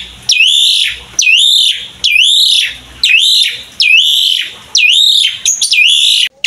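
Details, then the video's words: Asian pied starling in active pumping song, used as a lure to set other starlings singing: a steady series of seven loud whistles, each swooping down then up and sustained, under a second apart. "SUARA JALAK SUREN GACOR MOMPA"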